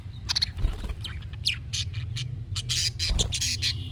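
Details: Budgerigar chatter to get a pet budgie calling back: dense, raspy squawks and squeaky chirps in quick succession over a low hum.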